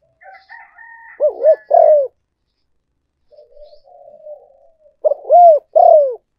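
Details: Lure call of a spotted dove: two loud phrases of arched hoots ending in a long falling coo, separated by a soft low murmur, with a faint higher tone at the start.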